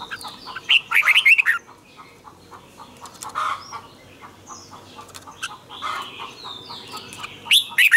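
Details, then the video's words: Red-whiskered bulbul giving its morning training song in the tense 'double twisted' style: an opening burst of sharp warbled notes, a stretch of quieter chirping, and another strong phrase at the end. "luyện chào mào hót sáng hay nhất 2020, Âm kép xoắn căng, cách luyện chào mào hót căng lửa"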